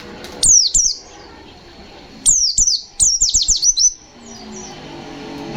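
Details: Pleci, a white-eye singing fighter-style 'ngalas nembak' song: a pair of high falling whistles, then a fast run of about six sharp descending notes, fading into soft distant chirps.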